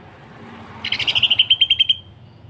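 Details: Greater green leafbird delivering a quick run of about a dozen buzzy, evenly spaced pulses in roughly a second, the dense rough style used to tutor and provoke other leafbirds. A soft low hum lies underneath.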